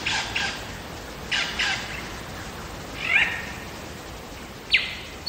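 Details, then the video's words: A wild lyrebird sings in Megalong Valley in Australia's Blue Mountains: rough, buzzy bursts, then a rising whistled note and a sharp quick upward sweep, with gaps between phrases. "Lyrebird song"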